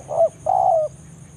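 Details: Wild spotted dove giving a banggo-style lure call in forest, calling a rival and used to draw other doves to a trapping site: a short low coo followed by a longer, slightly falling drawn-out coo.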